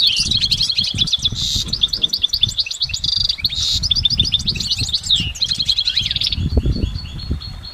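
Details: Goldfinch singing in nature, a long unbroken run of rapid twittering and tinkling notes layered together, with buzzy trills and short whistled slurs, over soft low rumble.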